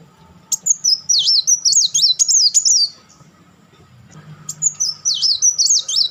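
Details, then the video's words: Kolibri wulung (Van Hasselt's sunbird) in crecetan chatter: a long run of fast, high, zigzag twittering, a short pause, then another rapid run, with a low hum behind. "crecetan dan tembakan beruntun Kolibri Wulung"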